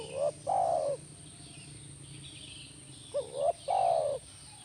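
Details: Spotted dove voice meant to draw an answer from a caged dove: two phrases, each a short rising note followed by a full, mellow, slightly falling coo, in a quiet background.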